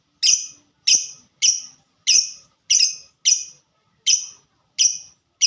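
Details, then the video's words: 'Ngetik' (typing) song of a fighter lovebird: nine crisp, identical high chirps repeated at a quick, slightly uneven pace, roughly one every half second, in a quiet setting. "Burung Lovebird Suara Ngetik Dan Sama² Fighter"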